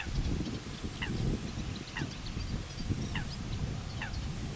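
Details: Common pochard ducklings feed with their mother standing guard. Clear thin downslurred peeps come roughly once a second over low, busy background noise and a steady high whine.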